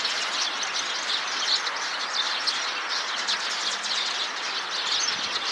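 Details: Massed calling of Eurasian tree sparrows gathered in a tree, one bird apart from the flock and uneasy; many high chirps overlap into a constant bright chatter with occasional louder single notes standing out.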